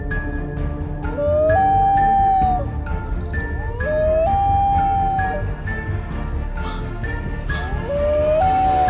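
A loon gives three long, mournful wailing notes, each sliding up and then holding steady, about every three seconds, over steady background music.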